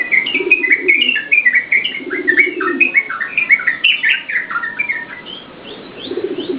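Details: Yellow-vented bulbul song used as a lure and tutor for training cage birds: rapid bubbly chattering phrases of short warbled notes, tumbling up and down, with a lower cooing dove in the background.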